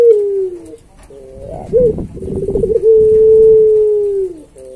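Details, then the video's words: Pet Barbary dove (puter) singing vigorously in pelung style, used as a training recording: low coos and a rolling trill lead into a long steady note that sinks at its end, then a fresh coo begins. "Suara Masteran Puter Pelung Gacor Paling Bagus"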